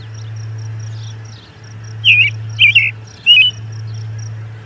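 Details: Three short, rich, rising-and-falling robin phrases in quick succession, recorded near the Charlo P2 osprey nest at 11:57am MDT, June 10, 2020; a low steady drone runs underneath.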